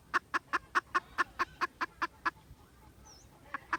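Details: Junglefowl, 16 December 2021, with a rapid string of about ten clipped clucks, a short pause with a faint high chirp, then two more clucks.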